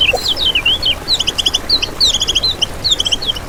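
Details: Lemon-bellied white-eye lure song for trapping birds: rapid, high, twisting twitter phrases interleaved with quick runs of short repeated clicky notes, almost unbroken throughout.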